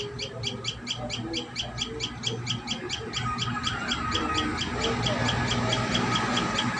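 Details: At the nest, a common tailorbird calls with rapid, evenly spaced high notes, roughly two per second, continuing without pause against steady low background noise.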